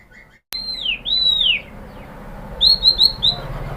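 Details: White-rumped shama lure song for provoking other shamas: after a sharp click, two long downslurred whistles, then a pause and a quick run of four short bright upslurred whistles.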